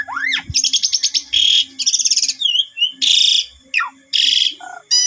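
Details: Asian pied starling lure song to prompt other starlings to sing: a rising whistled sweep, then alternating harsh buzzy rasps and stuttered trills, loud and close.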